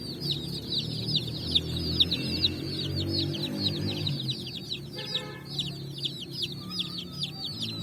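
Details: Colourful chicks running and jumping on sand in the evening, chirping continuously: dense, high, quick downward-slurred peeps overlapping from many birds, with a low background hum throughout.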